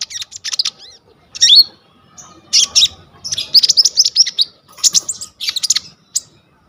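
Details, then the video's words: Brown-throated sunbird singing vigorously, phone recording used as a master song for training young sunbirds: quick bursts of high, thin chips and twisting whistled notes, grouped in short rapid phrases. "KONIN GEACOR FULL ISIAN 99% COCOK BUAT MASTERAN KOLIBRI NINJA TROTOL/IJOAN"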